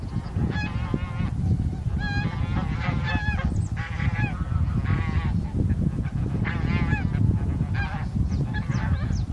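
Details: Bean geese, including a leucistic individual, wintering migrants met on March 9, 2021, recorded with a Sony A7M3 camera: many nasal, harmonic honks in overlapping bursts throughout, over a steady low rumble.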